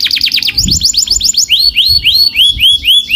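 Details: Canary song: fast, loud repeated trills, first sharp downslurred notes, then a run of high rising sweeps, each phrase of many identical notes repeated several times a second, with faint low rumbling beneath.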